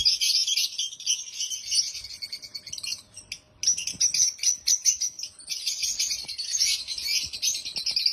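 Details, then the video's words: Loud, happy chirping from African lovebirds, a dense, continuous high-pitched chatter broken by one brief pause. "African Love birds sounds loud🐦Love birds chirping sounds🐤Happy Love Birds sounds"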